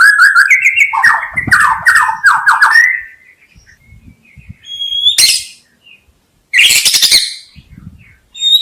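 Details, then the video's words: White-rumped shama song used to lure birds: fluid, descending whistled slurs in quick succession, a quiet gap, then loud explosive high bursts of harsh, buzzy notes. "SUARA KHAS BURUNG MURAI BATU_KICAU ISTIMEWA"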